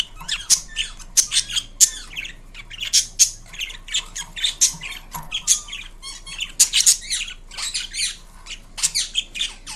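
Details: Pet Indian ringneck parrot making noise indoors: a run of harsh, loud squawks and screeches, some repeated in quick pairs, with rasping chatter between them, continuing for ten seconds over a low background hum.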